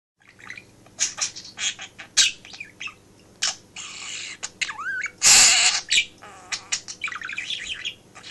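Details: Pet male budgerigar indoors in a home office, chattering while its owner works and mimicking phrases such as "hello"; dense run of scratchy chirps, warbles and squawky bursts with a steady low electrical hum underneath.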